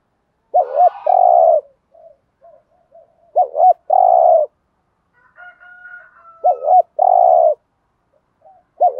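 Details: Spotted dove, thổ pha gù thúc cooing to provoke wild doves (kích bổi): three regular phrases, each a bouncing double note then a sustained deep coo, spaced about three seconds apart with faint murmurs between.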